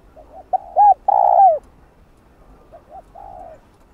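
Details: Decoy spotted dove calling to provoke wild doves into answering, a Vietnamese trapping lure: two clipped coos and a loud sustained falling croo, then a softer, more distant repeat of the same pattern.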